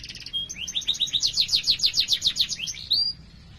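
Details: Canary in full song with a rolling trill meant to prompt other canaries: short high notes and one flat whistle, then a strong run of about fourteen rapid repeated chirps, ending in a rising whistled note.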